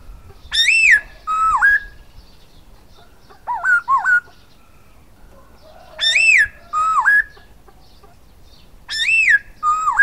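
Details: Silver-eared laughingthrush repeating its whistled song about every three seconds: loud arched notes followed by dipping slurs, with a wavy looping phrase in between and a faint low note.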